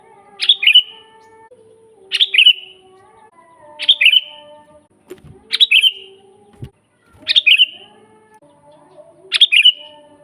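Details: Sooty-headed bulbul master song for teaching birds and luring wild ones: six evenly spaced bubbly phrases, each a quick burst of notes fading into a short whistle, roughly every one and a half seconds, a few soft knocks behind.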